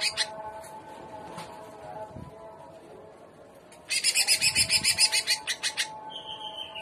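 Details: Greater green leafbird singing in the trotolan style called "gaya udang": after nearly four seconds of faint background hum, a burst of loud, rapid, buzzy high notes repeated about ten times, then a sustained clear whistle.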